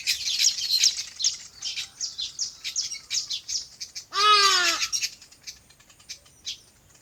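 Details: Rapid high chirps from several birds on a farm, interrupted by one loud, harsh, descending call lasting under a second, after which fainter scattered chirping continues.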